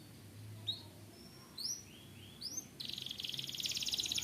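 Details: Canary singing: a few scattered high upslurred whistles, then a sustained rapid buzzy trill of repeated notes from about the third second, over a faint low hum.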